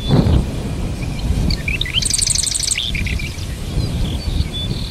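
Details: Marsh wren, Cistothorus palustris, of North America: scattered high chips lead into a quick, rhythmic rattling trill of under a second, all over steady low rumbling noise.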